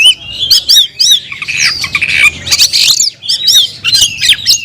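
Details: Caged oriental magpie-robin calling a rival to fight: loud scratchy, squawking warbles mixed with looping whistled notes, almost unbroken throughout.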